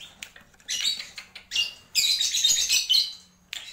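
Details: Black-winged myna, or jalak pito, giving harsh, noisy, scratchy chatter in short broken bursts, with one longer rasping phrase toward the end.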